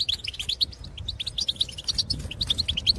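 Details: Goldfinch calls from birds in the field, a quick series of bright, clipped twittering notes, several per second, with soft low background noise.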